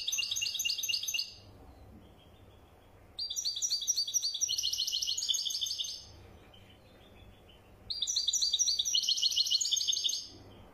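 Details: European goldfinch, a wadani bird, singing in bursts of about two to three seconds separated by pauses; each burst a fast, bright, high twittering of tinkling trills and chirps, with a low background hum.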